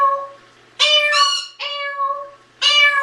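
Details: Indoor adopted African grey parrot, 16 years old, questioning its owner repeatedly while the room is cleaned; loud, strongly harmonic, nasal voiced calls in three bursts across three seconds, with a low steady tone between.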